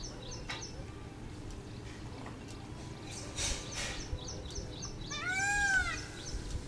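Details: Small birds chirp and twitter softly before a dancing peacock at Sanskruti Township, Hyderabad, lets out a single loud, drawn-out wailing cry near the end; morning recording, 6:40 am on 19 May 2010.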